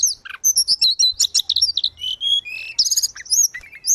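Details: Energetic grey-cheeked bulbul song, used to train caged birds that have stopped singing: dense high twittering with bright whistled notes, short slurred phrases and quick chip runs throughout.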